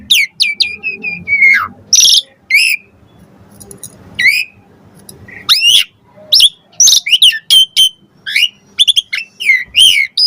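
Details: Lure song of an Asian pied starling, full of varied phrases meant to make other starlings reply: a long falling whistle opens, then scattered sharp chirps and rising slurred notes over faint low murmuring.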